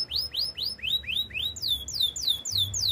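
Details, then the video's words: Canary singing for training: repeated upswept whistled notes about four per second, shifting to a run of higher downslurred whistles, crisp and clear against quiet background. "Active canary singing makes your canary sound"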